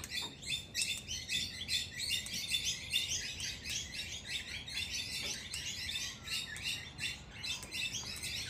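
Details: Australian king parrots, both sexes, contest dominance at a door in the wild, producing a dense, continuous run of rapid, high, squeaky chatter with hardly any pauses.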